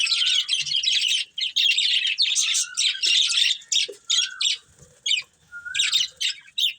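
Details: Budgerigars in a breeding pair chattering with scratchy, high chirps in quick bursts, interspersed with short rising whistled notes.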